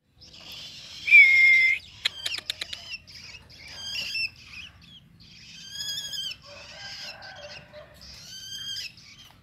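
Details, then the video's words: Young long-tailed shrike singing a varied run of high notes: a long level whistle, rapid dry clicking rattles, then warbled trilling phrases with harsh chattering, followed by a man speaking. "cendet anakan"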